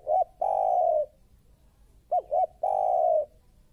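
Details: Newly caught spotted dove calling aggressively, used as a lure for trapping: two short hooked notes followed by a long steady coo, repeated twice, low-pitched and clear against a quiet background.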